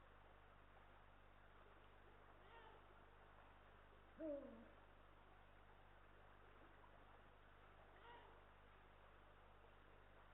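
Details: Eurasian eagle-owl, male and female together at a nest watched by a live nest camera in Estonia, 18 March 2022; a single short, low, slightly descending hoot rises out of steady background hiss, with fainter murmurs before and after.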